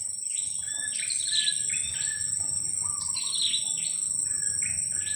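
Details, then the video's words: Two-week-old young blue-crowned hanging parrot, used as a lure, giving short high chirps and thin rising notes in loose clusters, over a constant shrill insect drone. "junior KIAK²...usia 2 minggu"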